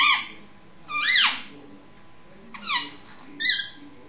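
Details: Indian ringneck parakeet, six months old, calling indoors before sleep: four loud harsh squawks with stacked bright harmonics, the second longest and sweeping upward, separated by short quiet gaps in a small room.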